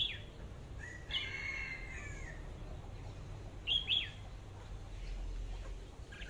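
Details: Red-whiskered bulbul decoy bird with an AK-style voice, giving a few short slurred whistled notes and a longer warbled phrase, then a quick rising-and-falling pair of notes, over a low background hum.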